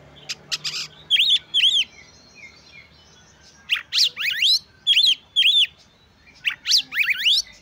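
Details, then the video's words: Oriental magpie-robin in full gacor song, played to excite other magpie-robins' emotions and breeding urge so they sing soon. Loud repeated whistled chevrons alternate with fast rising buzzy sweeps, about two phrases per second, with low background noise. "Kacer Gacor Pancing Emosi dan Dongkrak Birahi Kacer Lain Agar Lekas Gacor"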